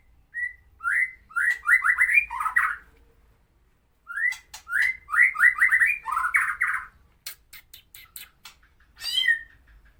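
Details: White-rumped shama of the Medan type, singing a harsh tutor song for training other birds: bursts of quick rising whistled notes near one pitch, grouped in fast runs, then a pause and a second burst, with later sharp clicks and a buzzy trill.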